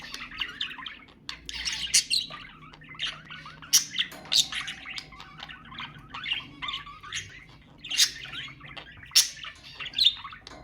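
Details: Budgerigar chatter meant to encourage breeding in pet birds: scratchy squawks and short chirps with sharp high clicks roughly every second, plus a brief steady tone near the middle.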